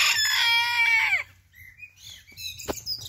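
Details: Rooster, one of two Booted Bantam (sabelpoot) roosters, gives a loud harmonic crow lasting about a second that drops in pitch at the end, followed by faint small-bird chirps and a low background hum.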